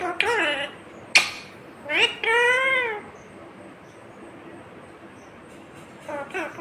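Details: Talking green ringneck parrot repeating "mummy papa": a few clipped, hissy syllables, then a longer arched harmonic word, followed by a quiet stretch and a faint closing syllable.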